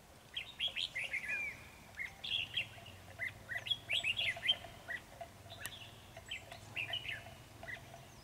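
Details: Trapping scene with a decoy red-whiskered bulbul and a 'Ché' bulbul singing strongly: clear, lively whistled phrases of three to five quick notes, repeated in steady bursts about every second.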